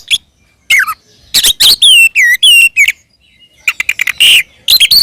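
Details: Kacer, the Oriental magpie-robin, giving its fighting song meant to provoke rival birds: a falling whistle, then bright looping whistled phrases and scratchy rapid chatter in separate bursts.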